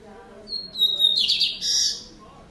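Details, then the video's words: In the afternoon, a Double-collared seedeater sings like a Lined seedeater: a long high whistle that breaks into a harsh buzzy burst, then a short buzzy trill, over a faint low hum; it reportedly sings all day. "Papa-capim com canto de bigodinho!"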